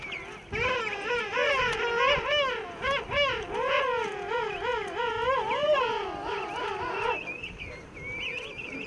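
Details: King penguins in a huge breeding rookery on Salisbury Plain, South Georgia. A loud trumpeting call of wavering, warbling harmonic tones lasts about seven seconds, then thinner, higher calls from other birds in the colony follow.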